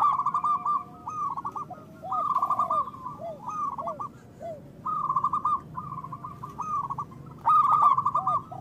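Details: Zebra doves of local stock, loud-voiced, serving as a trapping lure and a prompt for silent doves: repeated bubbling trilled coos in phrases of about a second, several birds overlapping, with softer lower hooked notes between them.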